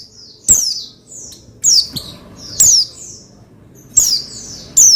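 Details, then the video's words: High-pitched song of an Oriental white-eye (pleci), played to excite other pleci into song: sharp falling whistles, each trailed by softer lower slurs, repeated in bursts roughly every second. "Menaikan Emosi Burung Pleci Bahan Agar Pleci Gacor Cepat Bunyi Rajin Gacor"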